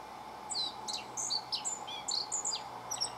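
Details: A single black-faced bunting singing persistently from a stump beside a house on 28 March 2019, about ten minutes before flying off; high, thin, varied whistled and trilled phrases with quick downslurs, over a steady mechanical hum.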